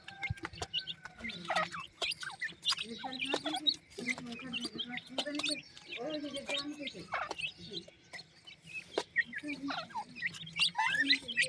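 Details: Francolin chicks, described as newborn, in fields in Pakistan: a busy stream of short, high peeping chirps and quick rising squeaks, overlapping and closely repeated, over softer low chatter.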